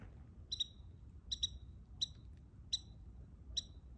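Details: American robin in winter snow in Virginia, possibly a young bird, giving short sharp high chirps, sometimes doubled, spaced irregularly about a second apart over a low rumble of background noise.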